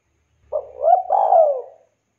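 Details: Spotted dove calling to its companions: a single low, hoarse coo phrase, a short opening note followed by a longer, purring, gently falling coo lasting just over a second, in a quiet setting.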